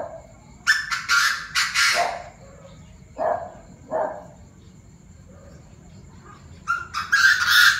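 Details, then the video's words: Several Chinese francolins calling raucously in the evening at 7 pm: loud harsh note series at the start and end, with two lower, hoarse single calls in between. "Tụi đa đa - nhiều giọng - đại náo lúc 19h"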